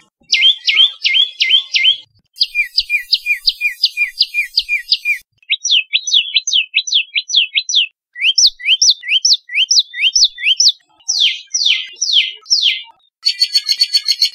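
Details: Common tailorbird, Orthotomus sutorius, from Rajasthan, India: rapid series of sharp, rising chip notes repeated several per second in bursts, with short breaks between phrases and a faint hiss in places.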